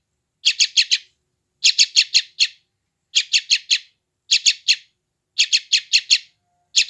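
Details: Repeated groups of four to five sharp, high chirps, spaced about a second apart on a quiet background, from a yellow-vented bulbul chick recorded with an Android phone in West Java for training freshly caught wild birds.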